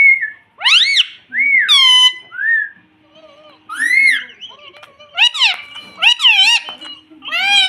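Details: Indoor pet parrot mimicking words such as mitthu and mummy, with a run of shrill, arched, speech-like syllables and whistles, split by brief quiet gaps.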